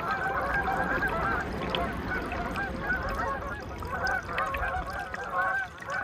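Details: Canada geese on their annual November migration at a calm lake in Aroostook County, Maine, 10 November 2021: a dense chorus of overlapping nasal honks from many birds, continuous and layered.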